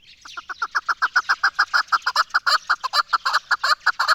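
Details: Chukar partridge, named as Pakistan's national bird, giving a rapid run of harsh, clucking chuck notes, about five per second, steady and even throughout with little background sound.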